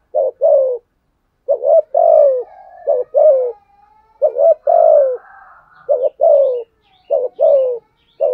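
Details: Decoy spotted dove cooing to provoke wild doves. Repeated deep, hoarse phrases, roughly seven in quick sequence, each a stuttering start and a falling, drawn coo. Faint soft tones fill some gaps.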